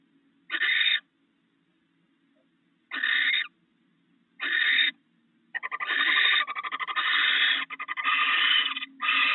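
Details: Wild barn owl pair sharing rats at their nest, in the early morning. Three spaced hoarse screeches, then a run of rapid rattling clicks mixed with longer rasping screeches.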